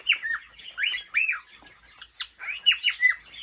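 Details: Male cockatiel during courtship of a female, giving rasping arched chirps in short clusters separated by pauses, each note rising then falling.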